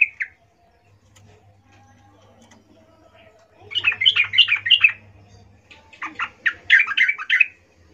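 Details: Female yellow-vented bulbul calling males, played to lure them: two bursts of lively bubbly chattering notes rising and falling, separated by quiet stretches with a low hum.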